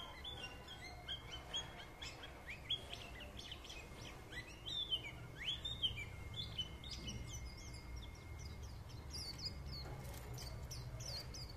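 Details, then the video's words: White-eye pouring out a stream of high, sweet chirps and rising slurred notes, densest mid-way and thinning toward the end, over a low rumbling background. "Nghe Khuyên líu lô"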